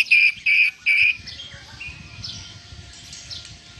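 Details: Oriental magpie-robin song filled with lovebird imitations: three loud, harsh, buzzy bursts in quick succession, followed by a softer warbled trail of thin whistles and light chatter.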